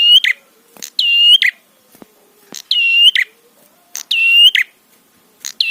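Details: Prinia in a trapi tutor recording used to provoke other prinias: buzzy nasal phrases with sharp clicks at each end, repeated roughly every 1.5 seconds, four in a row, over a quiet background with faint low whistles.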